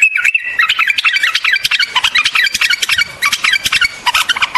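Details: White-eared bulbul giving a rapid, busy series of chattering and warbling notes almost without pause, scratchy and uneven.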